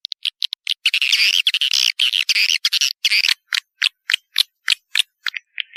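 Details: Swiftlets giving a rapid run of harsh, high twittering chirps that breaks into separate sharp clicking notes repeated several times a second.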